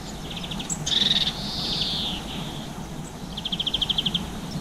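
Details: Garden birds such as black-capped chickadee, blue tit and greenfinch eating seeds around 7 pm in April 2020, filmed on a GoPro; short high trills and a thin held note, then a fast even trill, over low background hum.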